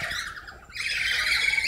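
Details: Harsh, shrill squawks from a group of lories in a bird quarantine and care enclosure near Sorong, Papua, run on without a break, loud and grating high in pitch, with a brief lull before the noise swells again.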